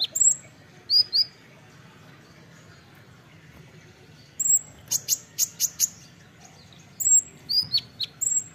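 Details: An olive-backed sunbird singing in a rapid-fire training recording: thin, very high notes, with sharp chips, then a fast run of about five piercing notes, and sweeping whistles at either end.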